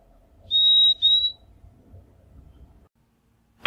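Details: Purple-throated Euphonia in the Brazilian Cerrado giving two high, pure whistled notes in close succession, the second slightly rising. Otherwise quiet, with a sharp click at the very end.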